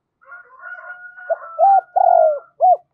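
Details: Spotted dove (cu gáy) used as a decoy, urging and cooing to provoke wild doves. Soft murmured notes open, then loud hollow arched coos: a short note, a long quavering drawn coo, and two brief rounded notes.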